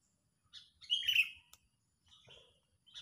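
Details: Sooty-headed bulbul, agitated, heard as a lure for trapping: a lone bright burst of harsh, slurred notes, with fainter chirps before and after in a quiet setting.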